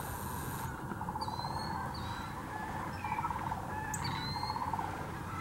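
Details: Massed sandhill crane flock at Hiwassee Wildlife Refuge in Birchwood, Tennessee, where thousands migrate each year: an unbroken murmur of overlapping rattling calls, with short thin whistles from smaller birds above it and a low background rumble.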